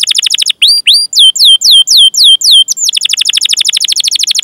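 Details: Canary 'gacor' song with long chirping phrases, used as a lure for canaries: an opening trill, a run of loud falling whistles, then a very fast rolled trill.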